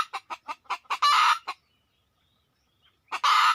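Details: Red junglefowl heard while being lured in: six quick, sharp clucks speeding up into a loud harsh squawk, a second of silence, then another rasping squawk.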